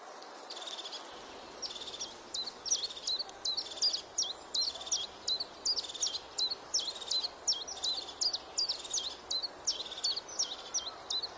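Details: European crested tit calling in a steady series: high purring trills, each ending in a sharp downward tick, repeated roughly every second at a fairly even pace, with faint hiss behind.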